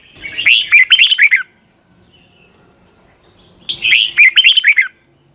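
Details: Red-whiskered bulbul singing in the morning in a long double twisted voice style, recorded as a lure for training other bulbuls: two bright, warbled, whistled phrases about a second long, separated by a quiet gap of roughly two seconds.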